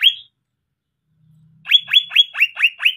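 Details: Champion greater green leafbird in full fill-in song: one rising whistle, a second of silence, then six clear, sharply descending whistled notes delivered rapidly in an even series.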